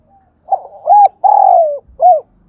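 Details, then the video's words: A spotted dove decoy, used to lure in wild birds, delivers one clear phrase: a quiet lead-in note, then a rising-falling coo, a long sliding croo, and a short closing coo. "tiếng chim cu gáy gọi mồi và bổi mới nhất"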